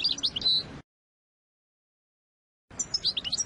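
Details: Two short bursts of European goldfinch song used to tutor young birds, separated by nearly two seconds of silence, each a quick cluster of bright, high, liquid twitters and buzzy chirps.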